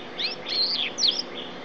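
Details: A yellow-fronted canary that has just finished moulting, tutored with blackthroat song, sings quick bursts of high, sweeping whistles and slurred notes in two short bursts over a faint hiss; a dog can be heard in the recording.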